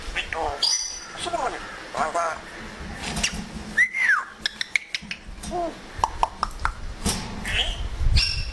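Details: Pet African grey parrot mimicking words and household noises, giving speech-like syllables, an arched whistle and scattered sharp clicks over low background rumble.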